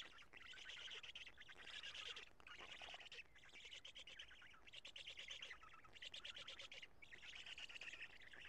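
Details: Black stork nest in Karula, evening of 2 June 2017, during a nest change and feeding: loud buzzy, rasping call bursts about a second long, separated by brief gaps, repeating steadily throughout.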